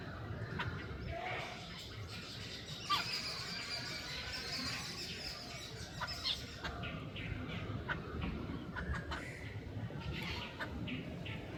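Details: Hungry jungle babblers struggling for food and begging: short harsh notes in irregular bursts rise over a steady low rumble, with scattered sharper chips between them.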